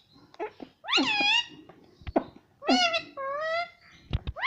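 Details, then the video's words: Talking pet parrot indoors utters loud wavering voiced syllables in two bursts, mixed with clicks, thumps and low household background noise. "parrot talking everything"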